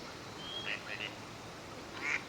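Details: Gadwall (Mareca strepera) in courtship display for pair formation on a park pond in Chiba, Japan, in November, wintering: a thin high whistle, then short nasal notes and another brief burst, over faint background murmur.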